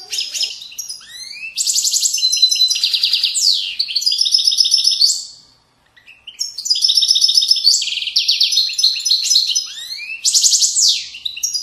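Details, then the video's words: Widaniya song of a European goldfinch from Moroccan valley riverbanks: two long bouts of rapid, bright twittering with buzzy trills and upward-swept slurs, split by a brief silence about halfway through. "تغريد ويداني أصيل من ضفاف الوديان المغربية goldfinch hason chant widaniya chardonner"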